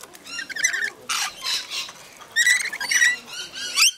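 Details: Rainbow lorikeets feeding, giving short shrill screeching chatters in scattered bursts with brief pauses between them.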